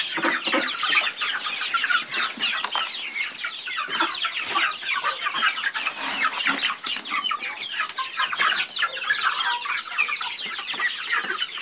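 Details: Flock of chickens giving a continuous busy mass of thin, high chirps and peeps that overlap without pause, steady in loudness throughout, with occasional low clucks underneath.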